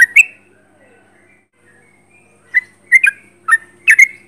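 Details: Sooty-headed bulbul singing energetically, recorded at close range: a pair of short bubbly whistled notes, about two seconds of near silence, then a burst of five quick liquid chirping phrases in the last second and a half.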